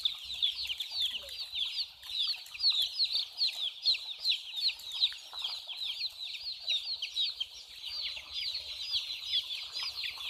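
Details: A flock of small chicks keeps up continuous high-pitched peeping, short falling notes tumbling over one another, louder in bursts, over a faint low hum.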